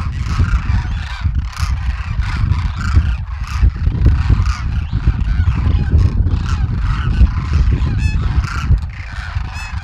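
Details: Wintering flock of about 12,000 Demoiselle cranes foraging in fields near villages in Rajasthan, north India; a dense chorus of overlapping harsh, rolling honks calls without pause, over a heavy low rumble throughout.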